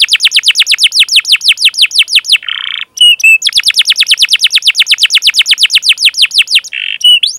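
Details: Long gacor canary song used to coax young canaries: quick, regular series of sharp falling chirps, broken twice by a low buzzy note and once by a brief pause, then more rapid chirping.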